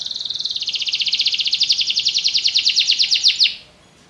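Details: Canary song: a loud, fast high-pitched trill of evenly repeated pulses, swelling then holding steady for about three and a half seconds before stopping abruptly, followed by near silence.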